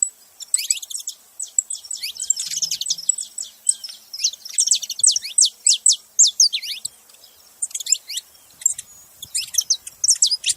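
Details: A noisy gathering of saffron finches: overlapping high chirps, slurred tweets and sharp notes pouring out continuously, with brief lulls and renewed bursts.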